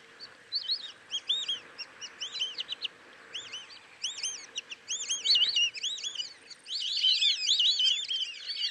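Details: White-faced whistling ducks in Kruger National Park giving many high, clear whistles that rise then fall, overlapping from several birds and building to a dense chorus toward the end.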